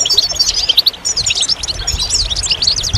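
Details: Short snatch of goldfinch song, dense high chirps and quick slurred notes delivered in a nonstop jumble.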